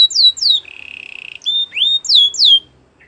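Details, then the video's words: Belgian canary song in short bursts: two loud falling whistles, a low buzzy trill, then rising and falling slurred notes, fading out to near silence at the end. "Belgian canary song"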